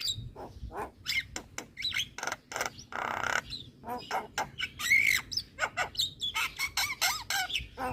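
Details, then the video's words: Javan myna song for luring and therapy of moulting mynas: a long, busy stream of harsh squawks, grating rasps, clicks and brief whistles, including a buzzy burst midway, delivered in rapid pulses for eight seconds. "Kicauan Jalak Kebo Full Manggut2 Buat Pancingan Dan Terapi Jalak Mabung"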